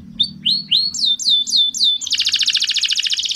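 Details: Male canary song meant to stimulate females for mating: separate rising-then-falling whistled sweeps, each slightly louder, giving way to a fast, dense high trill, with a low hum underneath.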